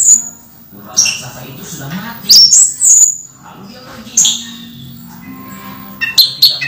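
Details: Kept orange-headed thrush in moult, still singing vigorously: sparse, high, sharp whistled notes and short bright phrases with pauses between, over a low background hum.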